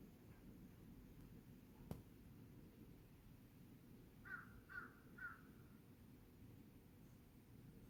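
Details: Crow calling on 18 August 2022 around 5:10 in the afternoon: three short, harsh caws in quick succession near the middle, over a steady low rumble of background noise.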